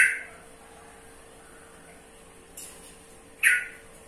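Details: Yellow-vented bulbul making sparse, harsh squawks: one at the start, a faint one midway and a loud rasping note near the end, separated by long quiet gaps with a low steady hum.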